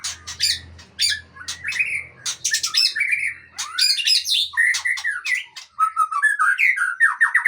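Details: Long-tailed white-rumped shama of the Aceh type singing a rich, varied song: rapid sweeping whistles, rising and falling slurs and sharp chipping notes in quick phrases, with a faint low hum underneath.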